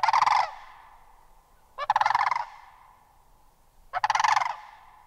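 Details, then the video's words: Sandhill crane giving loud, rolling, rattled trumpet-like calls, three bursts of about half a second each, spaced roughly two seconds apart, with quiet between them. "Sandhill Crane Vocalizations"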